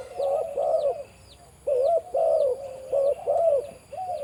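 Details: Deep-voiced breeding male spotted dove on a farm giving low, rounded coos in paired and triple notes, a short gap, then a run of five more; faint, high, looping chirps from other birds in the background.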